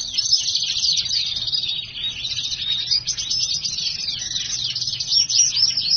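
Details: A black-hooded siskin crossed with a house finch, in full voice. Its unbroken, rapid warble mixes sharp chips, twangy trills and scratchy buzzes at a steady high pitch, with a few louder accents near the end.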